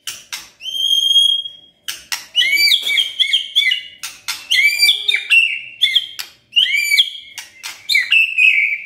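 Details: White-rumped shama kretekan, described as stirring up emotion: a long high whistle opens, then dense alternating dry cracks and warbled high whistled phrases, delivered almost without pause.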